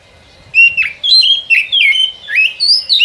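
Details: White-rumped shama lure song for forest trapping: after half a second of quiet, a loud, unbroken stream of clear whistled notes, looping down and sharply up, rich with overtones.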